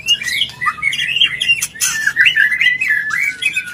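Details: Mating call of a white-rumped shama, played to bring a bird into breeding condition: continuous rich warbling with varied slurred whistles, interrupted by brief harsh crackling notes.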